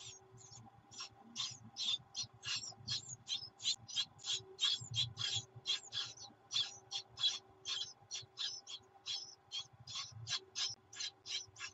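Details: Great tit nestlings begging as their mother arrives with food, recorded on 24 June 2019: soft, hissy, high calls repeated rhythmically about three times a second, with a faint low hum underneath.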